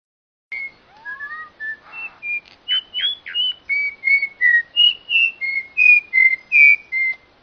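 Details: Songbird delivering a long run of clear whistled notes, starting with a low rising slur, then many short steady or slightly falling whistles near the same pitch, about three per second, growing louder toward the end.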